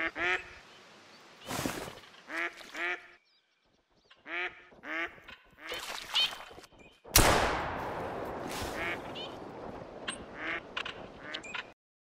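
A mallard gives loud, harsh quacks in short runs of three to five, with pauses between bursts; a rushing noise like wind or handling fills the second half.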